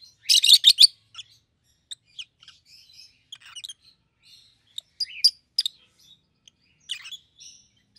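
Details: Pair of rosy-faced lovebirds, one yellow and one green, opening with a loud, harsh burst of shrill screeches, then scattered high squeaks and twittering chirps at an uneven pace.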